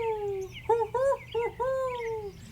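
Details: Barred owl (Strix varia), a native Florida bird, gives its hooting phrase, the classic 'who cooks for you' rhythm: a falling opening hoot, three quick rounded hoots, then a long drawn-out note sliding down.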